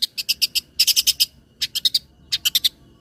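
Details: Long-tailed shrike lure song for training other birds, clear and loud: quick clusters of three to five piercing high chirps, each cluster separated by a brief silence.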